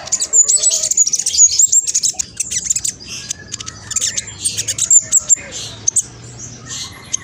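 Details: Fast, lively olive-backed sunbird song, used as a lure that makes other birds answer: dense, high, squeaky chattering and thin sliding whistles, rapid and uneven throughout.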